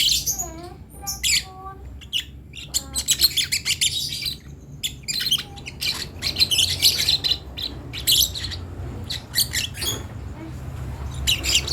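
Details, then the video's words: Lovebird chick learning to vocalise: an opening run of quick chirping notes, then long stretches of harsh, buzzy squawking in uneven bursts, with a low background hum throughout. "Ketika anak burung Lovebird belajar untuk bunyi"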